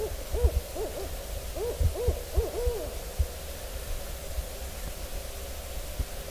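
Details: Owl calling in autumn woodland, late September or early October 2024, filmed from a tree stand. A quick series of short, low, arched hoots opens the recording, followed by quiet background rumble with occasional thumps.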